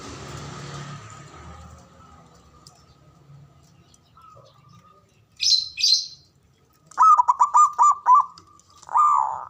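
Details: Male zebra dove giving the ngoar manggung call, used to stir mating arousal and emotion; mostly quiet at first with faint low hum, then a fast run of trilled, stuttering coos ending in a drawn-out note, plus a brief high chirp.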